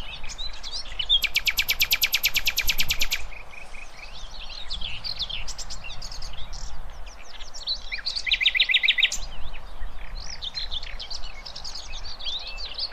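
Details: Nightingale song played for young goldfinches and hybrids to learn: a very fast buzzing rattle of repeated notes, scattered high warbling phrases and a second shorter rattle, over steady low background hiss.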